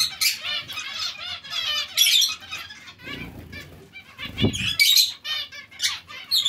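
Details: Zebra finches in a mixed colony with Bengalese finches give crowded, nasal, beeping calls. A few sharper notes stand out above the chatter, with brief low flutters of wings.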